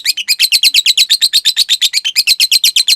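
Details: Lovebird kept as a cage bird, recorded to train others: a brisk, regular chattering trill of sharp, slightly descending high notes, about three per second.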